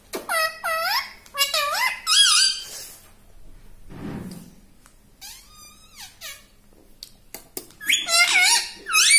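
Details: Human-mimicking pet parrot produces quick clusters of loud, harsh, swooping syllables, with a soft low thud in the middle, a wavering warble, scattered clicks, and more squawky notes at the end.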